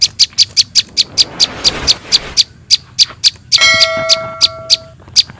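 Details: Young prinias calling, a lure for trapping small birds: evenly spaced high, dry chips about three a second, a burst of hiss partway through, then a bell-like ringing tone under the calls.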